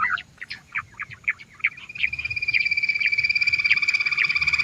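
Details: A female quail (butter bird) gives a calling sound used to attract other quails: scattered high chirps, then a fast, even run of sharp notes, about six a second, at a steady high pitch.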